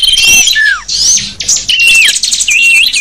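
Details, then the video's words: Small birds chattering in a sapu jagat lure used on wild small birds, heard as bright overlapping chirps, a falling slurred whistle and a wavering warbled phrase at the end. "Suara kicau burung kecil sang burung sapu jagat ampuh memikat"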